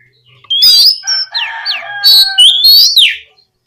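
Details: Loud oriental magpie-robin phrases, meant to prompt other magpie-robins to sing, mixing high rising whistles with lower steady tones and harsh fluttering notes in one continuous three-second burst.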